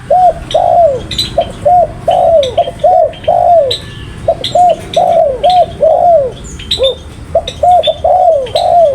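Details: Spotted dove calling almost continuously: clipped paired coos alternating with longer falling slurred notes in a fast, regular run, accompanied by frequent high chirps of other small birds.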